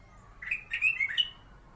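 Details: Black-crested bulbul, known locally as kutilang emas, kept as a master bird for magpie robins, giving one short bright phrase of slurred whistles rising and falling quickly, with a quiet background.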